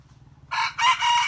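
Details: Red junglefowl decoy rooster practising its crow: a brief, harsh, broadband crow in two close bursts, the second louder, lasting under a second after a quiet start with low background hum.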